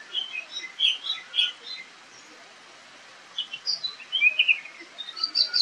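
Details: A wild Oriental magpie-robin recorded in the wild sings rapid, varied high whistles and chirps in two bursts separated by a short silence, as in a fight with a rival.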